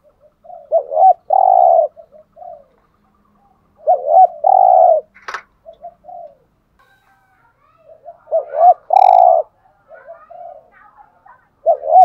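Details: Spotted dove in the 'giọng hạp' voice, meant to stir caged males: three full phrases, each two short rising notes and a long low coo with softer trailing notes, about every four seconds, plus a sharp click.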